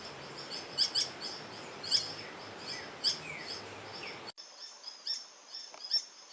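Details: A Green Hermit (Phaethornis guy) gives sharp, high, squeaky call notes roughly once a second, over a steady high insect hum and background hiss.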